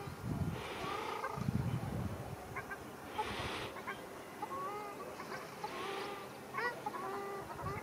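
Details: During a ruddy shelduck fight at Arucas, Gran Canaria, 13 February 2021, the birds give honking, rising notes in short series, and low thumps sound early on.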